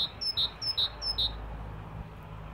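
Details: Singing great tit: four rapid two-part phrases, a thin high note followed by a fuller lower whistle, then a few seconds of soft background noise.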